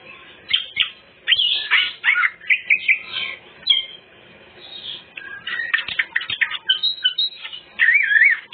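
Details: Greater green leafbird singing its full repertoire, played to lure other birds: bursts of sharp chirps and whistles, a quiet gap mid-way, then warbling phrases ending in a wavering, looping whistle.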